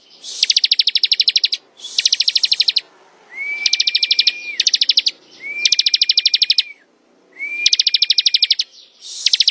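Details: Ciblek song in ngebren style: a bar-winged prinia repeats quick buzzy-sounding bursts of rapid high clicks, about one every second or two, some layered over a level sustained whistle.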